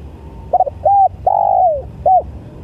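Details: One spotted dove phrase of soft mellow coos. A quick stuttered pair opens, then a short arched note, a long coo that falls away at its end, and one closing clipped coo, with quiet background hum.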